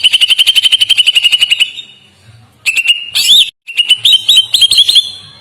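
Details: Greater green leafbird (cucak ijo) singing a long, gentle master song: a fast pulsed trill of steady notes, a pause, then a sharp rising slur followed by quick warbling notes.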